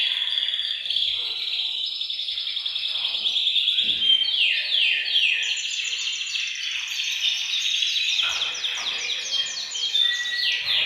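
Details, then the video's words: Several caged canaries singing together in a bird room, a group song meant to stimulate males to sing and prepare females for breeding; dense continuous high trills and rolling warbles, with rapid repeated notes and descending sweeps overlapping throughout. "أقوى تحفيز لتغريد وتجهيز الكناري، تغريد جماعي في غرفة الطيور سيجعل طيورك تغرد مباشرة"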